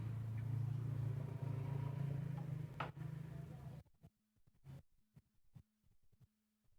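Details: A steady low engine drone fills the first four seconds, then gives way to near silence broken by scattered clicks and knocks.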